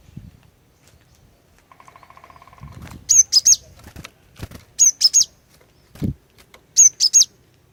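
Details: Cinereous tit female song used to lure males to sing: three bursts of three sharp, very high whistled notes roughly two seconds apart, preceded by a buzzing rattle, with a dull thump between phrases.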